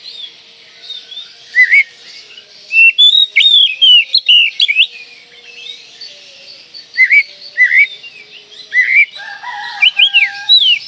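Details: Singing Oriental magpie-robin with its tail open, used as a lure for young magpie-robins. Irregular groups of bright whistled notes, curling up and down, come in bursts, and lower, softer tones join near the end.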